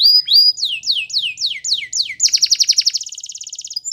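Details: Spanish Timbrado canary song for training: two flat whistles, a series of downward-swooping notes repeated about every quarter second, then a dense high rattling trill.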